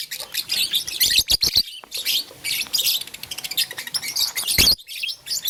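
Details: Blue, lutino and green lovebirds playing with a flower chirp busily in high scratchy bursts, broken by sharp clicks and a few short silences.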